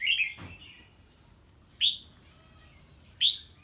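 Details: Red-whiskered bulbul reacting to the call of an unfamiliar bird, giving three sharp whistled notes that rise then fall, about a second and a half apart, with a soft thud after the first.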